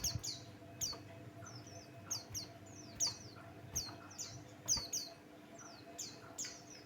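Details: Buxtoni white-eye lure song: steady series of high, quickly falling chirped phrases repeated about every half to one second, fairly regular, over a constant low hum and a few soft clicks.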